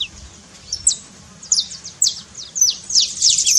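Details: Saffron finch song used to wake a quiet canary into singing, starting with sparse, spaced high chirps and building into a faster, denser trill at the end.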